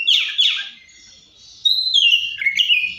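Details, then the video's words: Two harsh, buzzy notes from an Oriental magpie-robin, a brief silence, then a long bright whistle that falls into short warbled turns. "COPSYCHUS SAULARIS SOUNDS LIKE THE WILD MAKES OTHER BIRDS SOUND"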